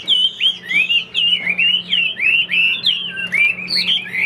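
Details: Chinese hwamei in a cage, showing wing-fanning, singing clear looping whistled notes in a steady stream, about three per second, over a faint low hum.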